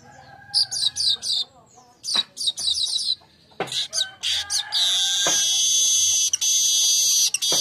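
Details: Daytime weaver song on a lure and tutor recording: high scratchy chatter phrases broken by sharp clicks, then a sustained loud sizzling buzz running to the end.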